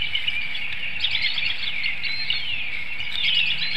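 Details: Nesting bald eagle at Hanover, Pennsylvania, early morning of 25 March 2019, vocalizing for its partner to take over incubating the eggs. Thin, fast, piping notes run in short series amid a busy chorus of small birds.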